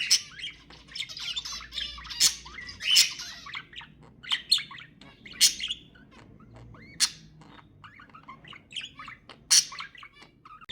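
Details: Pet budgerigars calling to prompt mating: sharp clicky chirps and scratchy warbles in clusters, louder peaks every second or two, softer chatter between them.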